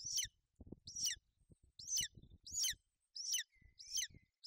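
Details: Golden eagle female and chick on a nest in Bucovina, 28 May 2021, the mother shielding the young from rain. Six high, thin chirps at uneven spacing over low rustling and knocking sounds, plus one faint drawn-out whistle.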